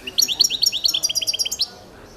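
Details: Competition song of a Balkan goldfinch, Carduelis carduelis balcanica, from a 2022 world championship: a rapid, regular series of sharp rising chirps, roughly a dozen in quick succession, crisp and high-pitched.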